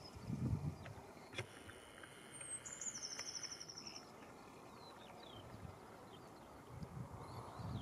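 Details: Lesser whitethroat's short, high, dry rattle lasting about a second, preceded by a thin note, set against low rumbling background noise, a sharp click and faint distant calls.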